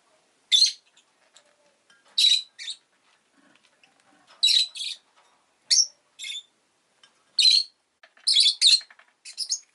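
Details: Rosy-faced lovebird, a pet bird, chirping steadily: loud, shrill, slightly buzzy notes often paired, coming roughly every one to two seconds, with faint background ticking and rustling.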